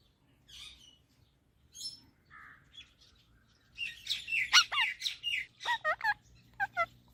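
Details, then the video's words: Parrot chattering: faint, scattered high squeaks give way to a louder, dense stream of buzzy squawks and steeply descending hooked notes, over low background hum. "Talking Parrot Natural Sounds"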